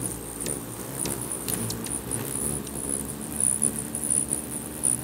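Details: Hummingbirds jostling at a feeder in Bigfork, Montana make intermittent high-pitched squeaky chirps, louder toward the end, over a steady low drone of beating wings.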